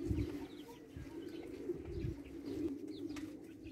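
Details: Tabrizi Agharan pigeons, Iranian breed, produce a constant deep burbling coo chorus, punctuated by low knocks and faint high chirps.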